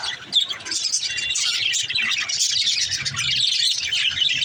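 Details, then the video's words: Budgerigars, among them a mother in a nest pot, keep up an unbroken high twittering and warbling, dense overlapping chirps growing slightly fuller toward the end. "Mother budgie in their pot l birds chirping sound"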